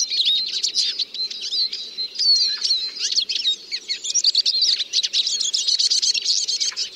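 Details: Eurasian siskin pouring out an unbroken babble of sharp chirps, fluttering trills and slurred whistles that ends in a fast, buzzy chatter.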